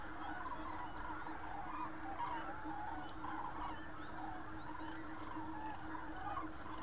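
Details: Common cranes massed in the Berlin countryside, Germany, 24 October 2015. A crowded chorus of rolling, bugling calls, dozens overlapping, over a constant low drone.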